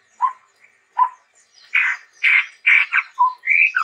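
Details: Chestnut-rumped babbler song: low whistled notes, then several harsh buzzy bursts and a rising whistle at the close.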